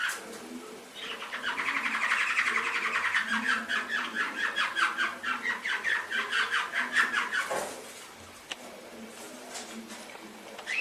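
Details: Canary song from an Indonesian master recording used to train pet canaries: a fast, even trill of short repeated notes, about two per tenth of a second, held for some six seconds, then fading into softer scattered notes.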